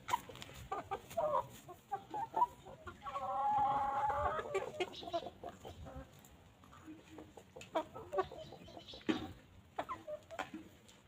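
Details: Free-range chickens walking, grazing and pecking on a calm farm; a sustained droning hen call around three to four seconds among scattered short clucks and sharp pecking taps, background rustle, no music.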